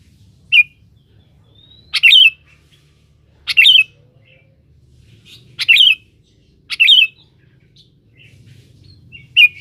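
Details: Sooty-headed bulbul singing hard to call a rival, used to lure: a run of brisk fluty bursts roughly every one to one and a half seconds, some doubled, with faint notes between and quiet low hum.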